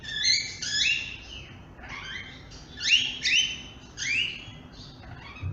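Grey-headed parrot giving bright, rising, slightly squeaky chirps in quick pairs and clusters, roughly one burst per second, over a soft background hum.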